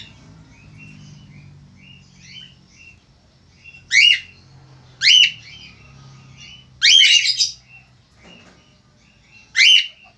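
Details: A male Australian finch gives soft chirps, then four loud, sharp, downswept squawks spaced one to three seconds apart. A low background hum runs throughout.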